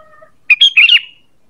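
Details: Sooty-headed bulbul call used as a lure for birds: one short burst of two or three bright, chattering notes lasting about half a second, preceded by faint steady tones.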